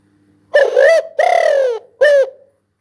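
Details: Spotted dove delivering a three-note coo: a short mellow note, a long falling note, then a brief closing coo.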